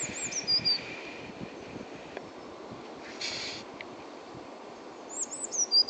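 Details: A blue tit at Uppsala Botanic Garden gives two very high, thin song phrases about five seconds apart. Each has a few sharp notes dropping into a brief trill, over a soft background hiss.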